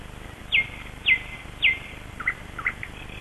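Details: Wild birds singing at early dawn in Kasmu on 21 May 2012, at sunrise: three clear, high, sharply falling whistled notes about half a second apart, followed by softer, lower chirps, over a steady low background hiss.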